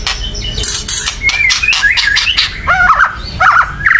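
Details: Agitated white-rumped shama chattering loudly to stir other birds to sing: dense harsh bursts mixed with quick whistled slurs, later clear rising and falling whistles, with steady low background noise.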